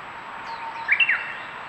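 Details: White's thrush (Zoothera dauma) filmed by trail camera at Aobayama, Sendai, Miyagi, Japan, on 24 April 2019, giving three quick, thin chirping notes within a third of a second, preceded by a faint high whistle, over steady hiss.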